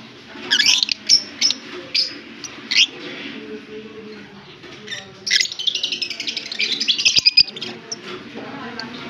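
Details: Pair of lovebirds, one Fischer's and one blue personata, kissing in Larkana, Sindh, October 20, 2023; shrill chirps repeated in bursts, then a long rapid chattering series of high squeaks.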